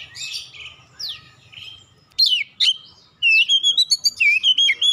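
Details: Magpie-robin song as a lure to make other birds answer: softer varied notes at first, then two sharp loud calls and a rapid string of repeated bright whistled syllables.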